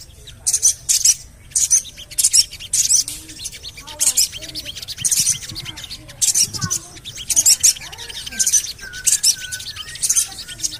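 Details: A Javan cochoa calls, recorded as a lure to get birds singing: strings of high, sharp chirps in rapid groups about twice a second, with soft lower twittering between them.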